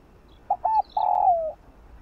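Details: One morning phrase from a spotted dove, played to draw in wild doves: two short introductory notes and a long, smooth coo that sinks in pitch. A faint higher chirp sounds in the background.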